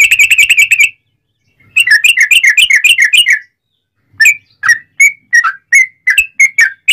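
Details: Sooty-headed bulbul song used to train and prompt other bulbuls to reply: a quick run of repeated notes, then a bouncing series of rising and falling whistles, and finally spaced, sharp, slurred notes.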